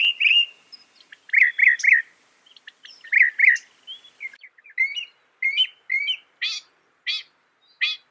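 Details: Northern mockingbird (Mimus polyglottos) singing loud, fast phrases: a bright warble, a triple-repeated chirp, a second triple, then scattered twitters and sharp downslurred notes repeated about every half second.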